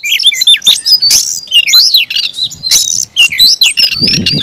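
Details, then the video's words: Caged kacer, or Oriental magpie-robin, in aggressive fighting song: loud rapid whistles and chirps with harsh buzzy bursts, varied and unbroken, low rumble toward the end. "kacer gacor tarung ngotot agresivitas"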